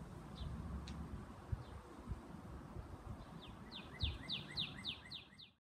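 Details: A female northern cardinal, identified by her brownish colour, calls to attract its mate: a few scattered whistles, then a rapid run of bright falling notes near the end, amid low rumbling noise.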